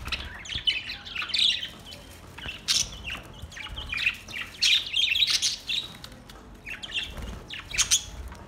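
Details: Budgies chattering and singing in relaxed mood, a dense mix of scratchy squawks, chirps and buzzy trills from several birds, continuous throughout with brief dips.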